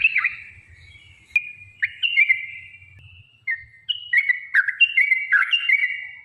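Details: Yellow-vented bulbul singing its lure song for stirring other bulbuls to sing: slurred whistled notes, some drawn out and level, others quick and dipping, in loose bursts separated by short gaps, faint low rumble early.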